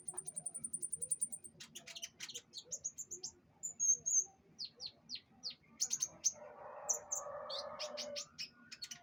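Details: During pengembunan, a canary sings a fast high buzzing trill, then sharp separate chirps and twittered notes; a low broad rustling noise rises briefly partway through.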